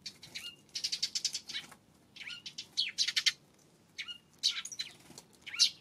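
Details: Eurasian tree sparrow in the afternoon of April 25, giving bursts of short, harsh, high chirps in quick clusters separated by brief pauses, with faint soft rustling in between.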